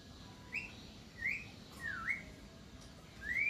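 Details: Javan myna, locally jalak kerbau, singing on and on: a series of short rising whistles and one dipping, V-shaped whistle, spaced about a second apart.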